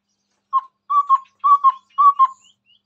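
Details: Chestnut-rumped babbler singing actively in front of a phone: one short low whistle, then three paired, mellow, level whistled notes at an even pace, with no other sounds.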